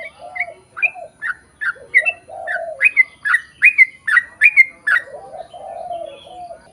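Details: Sooty-headed bulbul singing long lively phrases, used as a lure to make other bulbuls sing back: rapid bubbly whistled notes, often paired and repeated about once a second, with lower wavering cooing notes at start and end.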